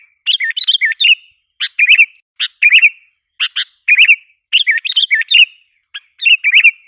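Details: Sooty-headed bulbul giving a lure call to provoke wild bulbuls: repeated groups of bubbly, looping phrases mixed with hoarse chips, each group separated by short silences.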